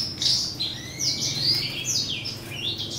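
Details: A male grey singing finch x female black-throated canary hybrid singing in breeding season. It produces a continuous, fast, high warble of sliding and trilled notes against a constant low mechanical hum.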